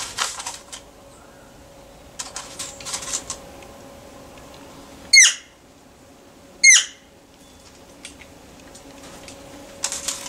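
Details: Wild, unhabituated bird drawing closer to a person offering food: two short, sharp squeaky calls about a second and a half apart amid scattered clicks, rustles and a faint steady hum.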